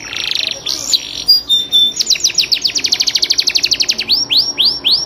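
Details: Kenari, or domestic canary, singing a long, varied tutoring song: a scratchy buzzy opening and a few thin notes, then a quick series of downswept chips speeding into a trill, ending with slower, evenly spaced slurred whistles.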